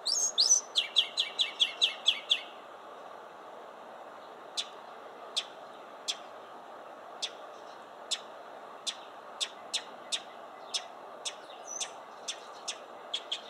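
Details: Mockingbird song opening with a rapid run of about a dozen sharp, high chirps, then a short pause and a long series of single clipped tick notes repeated roughly every half second against a soft hiss.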